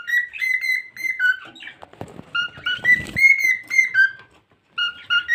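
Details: Cockatiel kept as a pet gives sustained, pure whistles in a wavering melody, interrupted briefly by rustling and clicking noise before the whistled phrase resumes.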